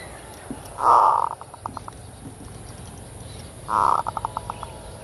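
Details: Zebra dove singing the full kerot style for luring: a loud burred note followed by five or six crisp clipped notes, repeated after nearly three seconds, with faint hiss behind.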